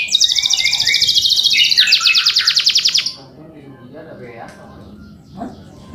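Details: Male canary with a rolling 'ngerol' song meant to provoke and teach young canaries: three seconds of rapid high buzzy trills and rattles, then near silence with faint background noise and a soft knock.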